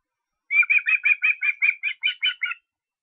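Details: Eleven bright, slightly slurred whistles delivered in quick succession by an osprey in Estonia on 23 August, beginning after half a second of silence and ending abruptly.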